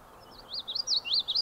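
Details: Male Common Yellowthroat singing in summer at John Brown Farm in the Adirondacks, 26 July 2019; rapid series of bright whistled, rolling phrases repeating a wichety-wichety pattern, clear and loud over a quiet background.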